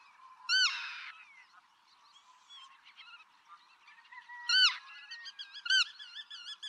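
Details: [['Black-tailed godwit, a migrant bird in Pingtung County, Taiwan, on 6 October 2015: loud nasal calls near the start and near the end, with softer wavering chatter between them and a steady hum underneath.']]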